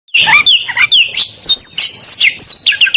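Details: Oriental magpie-robin singing vigorously: a rapid, varied string of loud whistled notes and sharp chirps, some sliding up, others dropping, delivered almost without pause.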